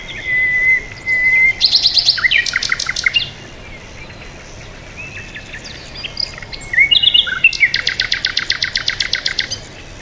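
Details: Birds calling: a long flat whistle opens, then buzzy trills and clicks, a quieter gap, and a rapid rattling burst of repeated notes in the last three seconds.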